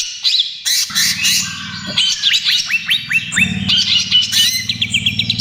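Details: Greater green leafbird singing 'trotol gacor' style for luring and therapy of other birds: a series of rising whistled upslurs and scratchy notes, with a steady low mechanical buzz running through most of it.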